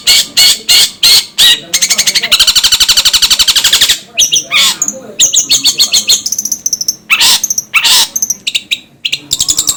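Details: Long-tailed shrike giving loud harsh notes and long, rapid rattling bursts. These are interspersed with scratchy chirps and a few sharp high slurred notes.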